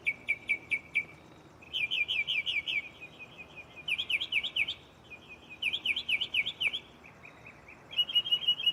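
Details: Mockingbird singing at night from a tree right beside the recorder, running through its catalogue of borrowed songs: bursts of quick, high chirped notes repeated in rapid series, each phrase switching to a new pattern after a second or two, over steady insect hum.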